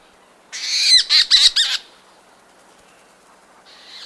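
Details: Leach's storm petrels leaving their burrows near dawn: a quick, harsh burst of four or five chattering, stuttering notes, then a faint soft rustle of wing-beats.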